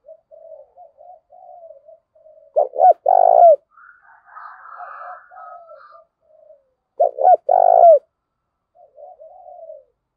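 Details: Spotted dove lure cooing in the urging style (gáy thúc) to stimulate newly caught and decoy doves. Low soft coos run throughout, broken twice by loud clipped phrases of quick notes and a short buzzy coo, about five seconds apart.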